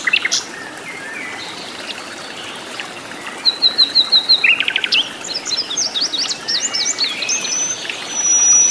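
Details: Flycatcher singing in the wild, in its native habitat: scattered soft notes, then a fast series of about a dozen clipped, evenly spaced chips, followed by varied squeaky whistled phrases and a long thin tone.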